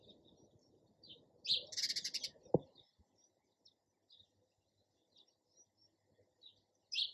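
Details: Sparrow calls: a loud harsh chattering burst around two seconds, then sparse faint chirps and a final sharp chirp, with a single knock in between.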